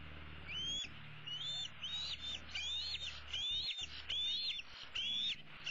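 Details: Young bald eagle from 2016, a female eaglet perched in the nest tree, begs her parents for supper with a steady series of shrill upslurred squeals, roughly one per second, over a faint low hum.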